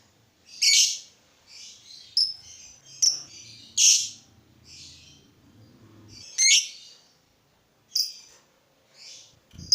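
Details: Lovebird calling to provoke other lovebirds into song: sharp, high, scattered chirps and squeaks, about nine bursts over ten seconds with irregular gaps, and a faint low hum underneath.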